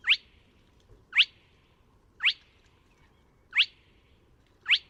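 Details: Five crisp, upslurred whistled notes from a Spotted crake, spaced about a second apart, recorded at Neda, A Coruña, in March 2017; faint low-frequency background murmur.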